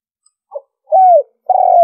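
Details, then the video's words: Spotted dove call used to lure birds: a short low note, then a smooth sliding coo that drops at its end, followed by a longer, steady coo. "Tiếng chim cu gáy mp3 liêu ròng kích bổi hiệu quả"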